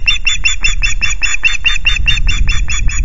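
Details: On 5 July at the Loch Garten nest with chicks, an osprey gives a steady chain of sharp whistled chirps, about five per second, slightly hoarse, against a rumbling low background.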